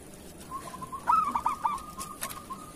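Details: Local zebra dove singing kerot-style as master song for other doves; one short, loud stammering coo phrase rising out of a soft continuous trill.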